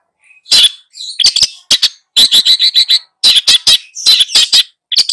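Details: Long-tailed shrike singing hard to teach its two young pupils, giving harsh, grating squawks in quick clusters of three to six notes, separated by short gaps.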